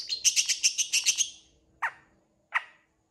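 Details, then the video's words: Long-tailed shrike song in rich, fully varied form: a rapid burst of about eight bright, harsh chattering notes, then two separate downward-sweeping calls after short pauses. "CENDET GACOR FULL ISIAN CEPAT DI RESPON PENTET LAIN"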